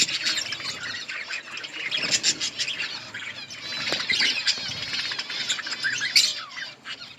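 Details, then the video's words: Many budgerigars in an outdoor colony chirp while eating, making an unbroken, bubbling stream of high warbled notes, with occasional wing flutters and a sharper call near six seconds. "Budgies parrot eating and chirping sounds"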